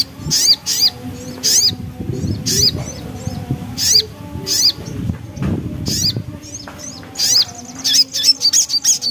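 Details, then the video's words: Javan black-capped babbler singing in the 'ngriwik' style: sharp, high double notes repeated about once a second, ending in a fast flurry of chirps, over a low rumbling background. "Suara Nembak Ngriwik Burung Sogok Ontong Gacor"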